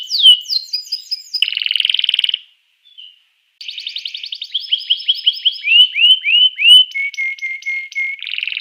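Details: Canary song meant to prompt other canaries into singing: varied phrases of rapid trills, a brief pause, then rising and falling whistled notes repeated in series and a steady buzzy trill at the end.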